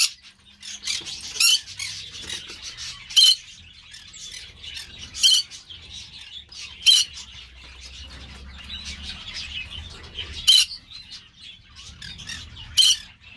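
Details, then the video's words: Sharp, grating shrieks from a Green-cheeked parakeet (Pyrrhura molinae) come singly every two to three seconds, with quieter scratchy chatter in between and a low background rumble. "Pyrrhura molinae - Parrocchetto guanceverdi"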